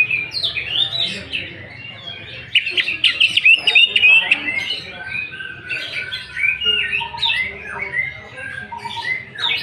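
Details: Lure song of a greater green leafbird, played to provoke singing. A long, varied stream of sharp whistles, rapid chattering bursts and mimic-like fragments, delivered fast and energetically.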